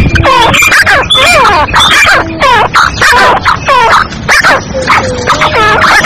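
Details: A female black francolin's calls, used to attract birds and stir them up, sound as loud harsh notes that dip and rise in looping shapes, repeated roughly one and a half times a second.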